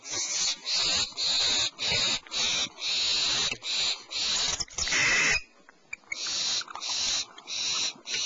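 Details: Owlets in a nest cavity at 04:47 PST as their mother brings medium-sized prey, the young not very hungry; harsh hissing screeches repeat in rapid bursts, with a brief quieter gap before the screeching resumes.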